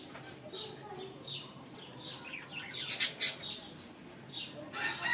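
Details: Budgerigars singing in the morning: scratchy chirps and short rising whistles in loose bursts, with brighter clicky notes near the third second and a chattering burst at the end.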